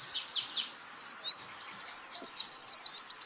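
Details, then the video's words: White-eye, a champion songbird, on a training recording: faint down-slurred whistles and one rising sweep, then a sudden loud burst of sharp notes running into a quick, even trill. "pleci Jawara Pake Masteran"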